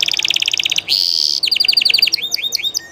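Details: Spanish Llarguet canary singing live: a fast metallic trill of evenly spaced notes, then a sustained buzzy tone, followed by a string of sliding, rising-falling whistled notes, all high-pitched and clean over a quiet background.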